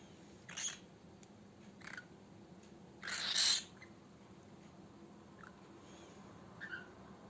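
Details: A male pet cockatiel gives harsh, raspy screeches, one loud half-second burst among a few shorter, fainter squawks spaced irregularly over several seconds, in a quiet room.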